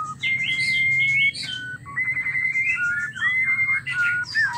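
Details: White-rumped shama mating sounds, used to rouse males into singing: long, level whistled notes near mid pitch, broken by quick, chattering warbled phrases and brief pauses, with a soft low hum beneath.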